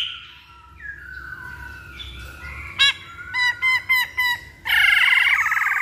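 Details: Masked laughingthrush song used as a lure to make birds sing: long level whistles, then a burst of sharp repeated notes about four per second, ending in a loud buzzy trill.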